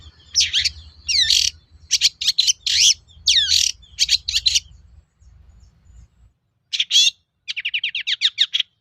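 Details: Long-tailed shrike song intended to make other shrikes reply: varied loud scratchy and slurred notes in clusters, a brief lull, then a fast trill-like series of short notes.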